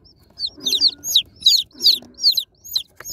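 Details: Several baby chicks, just unboxed, chirp in clustered bursts roughly every half second, each peep high and downward-sloping, with faint low rumbling behind.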